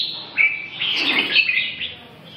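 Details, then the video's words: Red-whiskered bulbul song, a short run of clear whistled notes with quick upward and downward slurs, delivered in a single lively phrase. "Kênh về chim Chào mào"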